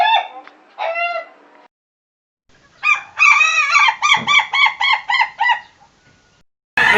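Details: Contest-grade crow of an Ayam Ketawa rooster. Two short clipped notes, a pause of silence, then a burst of quick, evenly spaced cackling syllables that fades out. A sharp noise ends the recording.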